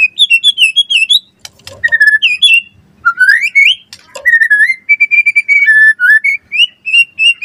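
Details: White-rumped shama (murai batu) 'gacor' song: high whistled trills, rising slides, then long flat whistled notes repeated in a steady series, with a couple of sharp clicks.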